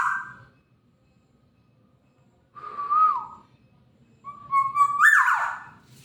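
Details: Black-naped oriole sound: a clear fluty whistle ends, then a slightly falling whistled phrase, then a steady note leaping into a harsh, nasal sliding squeal; low background hum.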